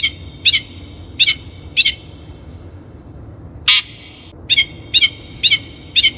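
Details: Long-tailed shrike in a training lure recording, giving clear, ringing whistled notes in pairs and short groups, repeated at roughly half-second intervals, with one longer harsh note partway through and quiet gaps between.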